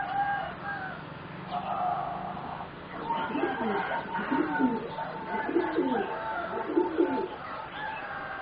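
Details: Four young singing zebra doves about 3.5 to 4 months old, bred for competition. Low trilled coos repeat in rhythmic phrases over a steady higher tone and scattered chirps from other birds.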